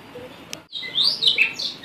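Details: A Blue rock thrush (Monticola solitarius) gives a brief, bright warbled phrase of high chirps and slurred notes after a short pause, against a quiet background.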